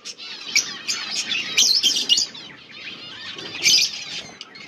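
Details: Budgerigar breeding pair calling during mating, August 16, 2024: intermittent scratchy warbles and sharp chirps, with a louder burst near the start and another late in the recording.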